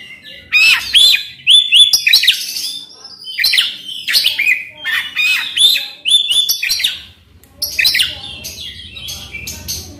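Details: Oriental magpie-robin song used to stir a silent bird into song: varied phrases of rich whistles, sliding notes and harsh chatter, repeated in bursts over ten seconds with a faint low hum.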